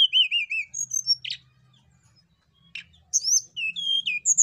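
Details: Hill blue flycatcher song played to set birds singing: looping, wavering whistles, a buzzy burst, a pause, then high slurred whistles rising and falling, over a faint low hum.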